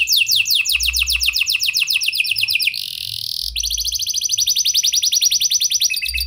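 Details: Singing canary with prenjak and lovebird phrasing, meant to stir other canaries into song: loud rapid trill of sharp descending strokes, a brief harsh buzzy passage, then a long even rolling trill and a final twittering flourish.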